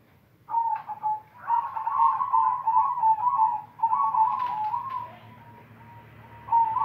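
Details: A silver-variety zebra dove (perkutut) sings in full voice: soft, rolling coos of quick staccato trilled notes running into longer purring phrases, with brief pauses, over a faint low hum.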